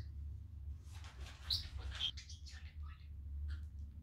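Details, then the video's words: Domestic male budgerigar talking and playing indoors on a sunny day; a burst of raspy chatter with two piercing whistled chirps, then softer mumbling notes, low background hum throughout. "Talking Budgie having fun on a sunny day!"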